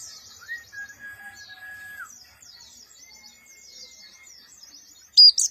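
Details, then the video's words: Javan white-eye, a black-eyed 'Monty' type, with a rough voice in short bursts. Thin high twittering chirps run throughout beneath steady whistled tones held lower down, and a loud sharp burst comes at the end. "pleci Monty mata hitam,, suara kasar nembak pendek"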